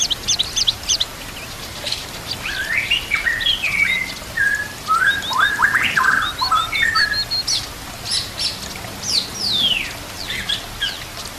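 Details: White-rumped shama full fill-in song for training other shamas, set with nature sounds and trickling water: varied whistled phrases and rapid chirps, rising and falling slurs, some buzzy notes, with a steady low hum beneath.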